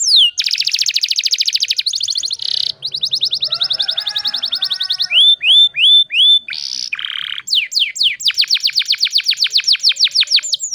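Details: Canary song used as a lure to restart silent canaries: fast rolling trills of downward sweeps, a bubbly rattle, rising slurred whistles, a short buzzy note, then long rapid high trills.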